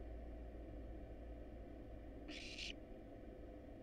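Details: Begging barn owl nestling, wild, in a monitored nest box while being fed: a single brief harsh hiss midway through an otherwise quiet stretch of low humming background.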